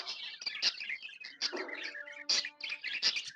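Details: Tame budgies chirp happily in a bright, squeaky chatter, with sharp high notes punctuating the jumble and a short steady tonal hum in the middle.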